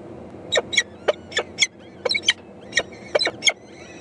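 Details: Four young peregrine falcon chicks (eyasses) calling to their mother that they are hungry at feeding time, 14 May 2012: harsh, broadband rasping screeches in quick bursts, roughly every quarter to half second, with faint thin whistles of other birds behind.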